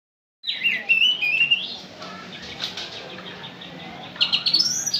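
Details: Oriental magpie-robin singing in a burst of high, varied whistles and scratchy twitters, a pause of softer chatter, then another sharp run of high notes at the end.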